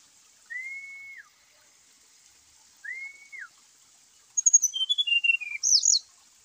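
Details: Brown-chested jungle flycatcher singing, used to provoke reluctant caged birds into song. Two long, level whistles a couple of seconds apart, then a rapid cascade of high, sharp notes sliding downward and a final bright flourish.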